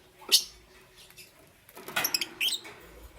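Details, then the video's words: Parblue euwing green opaline and green opaline lovebirds at morning time: one sharp piercing chirp at the start, a pause, then a fast jumble of shrill chirps and squeaks. "Lovebird Chirping Sounds"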